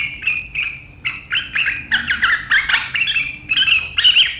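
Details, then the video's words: Sooty-headed bulbul recorded on 7 April 2023, singing in the sharp chattering riwikan style that sets rivals singing: loud, rapid, buzzy chatter in dense bursts, with brief pauses between phrases. "Suara burung KUTILANG GACOR RIWIKAN yang tajam membuat lawan ikutan ngeriwik"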